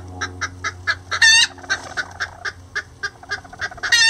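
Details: Rare lavender bantam chickens, two roosters helping a hen build a nest, keep up a steady run of short low clucks, with a loud rasping squawk early on and another at the end.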